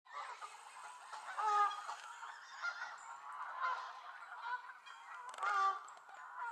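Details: Canada geese at Elvaston Castle, recorded 3-10-15, an angry gaggle calling: a dense chorus of overlapping nasal honks, several louder bursts rising above the steady background clamour.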